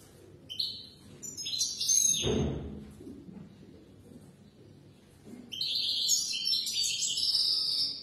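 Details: European goldfinch (mqnin) song, played for young birds to learn from: bursts of high, tinkling, rapid twitters and buzzy trills, a short phrase early, then a dull thump, then a longer dense run of liquid chatter.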